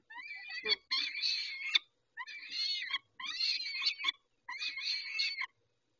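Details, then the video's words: During a feeding at Dobra on 19 May 2021 at 11:48, peregrine falcons give four long, rasping, harmonic wails, each lasting about a second, with clean pauses between. "Sokoły - Dobra karmienie o 11.48 19-05-21"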